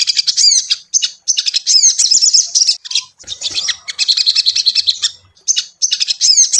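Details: Training lure of ashy tailorbird song for a caged bird: quick phrases of shrill, high chirps and rolling trills in fast succession, with brief pauses between bursts.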